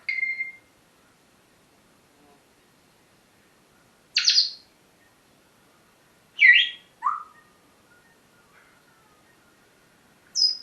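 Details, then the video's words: Pet parrot calling in the morning: sharp, separate squawks and chirps spaced a couple of seconds apart, one ending in a falling whistle, with silence between. "My parrots morning talking session"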